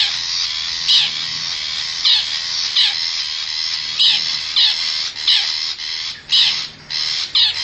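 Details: Long-tailed shrike of the forest, wild bird lure call: an almost continuous rasping scold with stronger harsh bursts about every half to one second, slightly buzzy throughout.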